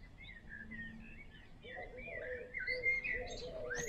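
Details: Common swifts at the recordist's house give thin, shrill, wavering screams that grow louder and higher toward the end, over a lower murmur that may be a voice.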